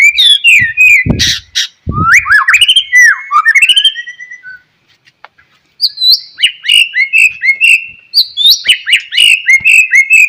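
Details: White-rumped shama singing in the morning to trigger song in other shamas: loud, varied whistles and rattling phrases, a short quiet gap, then rapidly repeated bright whistled notes.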